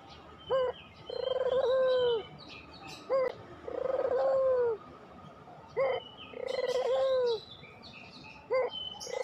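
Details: Three cycles from a puter pelung dove, each a short upward-flicked note leading into a long, even, hollow coo, repeating roughly every two and a half seconds, with faint chirping birds behind.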